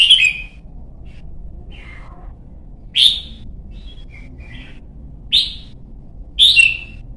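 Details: Young red-whiskered bulbul (chào mào) from Vietnam in voice training for the 'white-cheek' singing style and competition singing. Four loud, bright, chirpy whistled phrases come at about 0, 3, 5.3 and 6.4 seconds, with softer short notes between them over a faint low hum.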